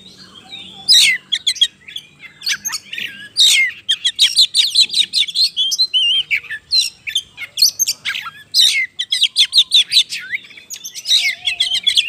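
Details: Oriental magpie-robin in full, persistent song, played to trigger other birds into singing; dense bursts of shrill whistles, buzzy notes and rapid chattering trills repeated over twelve seconds, with brief gaps between bursts.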